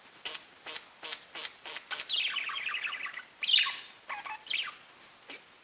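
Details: Pet budgies: soft repeated clicks open, then a fast run of twittering chirps and a louder scratchy note, followed by a few brief warbled calls and more clicks.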